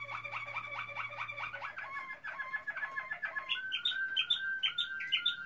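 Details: Malinois Waterslager canary, 2016, singing repeated bubbling note groups, then shifting to a steady whistle punctuated by sharp high notes roughly twice a second; a low hum fades early.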